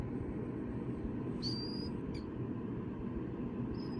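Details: Captive Killdeer chicks, hatched in an incubator after their eggs were found in harvest fields, being rehabilitated. One drawn-out high peep is followed by a short clipped note and a later faint peep, over a constant low droning hum.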